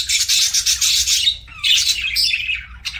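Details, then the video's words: Chattering pet parakeets (budgerigars) at mealtime give a long harsh buzzy warble, then a brief pause and a rising scratchy squawk followed by a sharp whistled note. "PARAKEET EATING SOUNDS"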